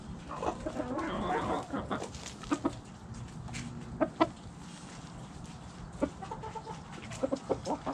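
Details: Backyard hens clucking: short soft clucks and quick chattering notes, some in little clusters, scattered across the recording with brief sharp clicks and light background noise.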